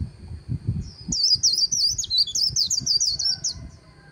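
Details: Riverside white-eye on the Kỳ Cùng performs its 'líu' warble: a quick burst of high, thin, tumbling slurred notes for about two and a half seconds, accompanied by dull low thumps and knocking.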